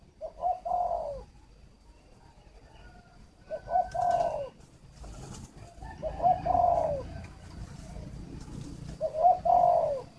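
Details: Spotted dove kept as a luring decoy at a breeding farm near Hanoi, Vietnam, giving four short, soft cooing phrases spaced about two to three seconds apart over low background hum.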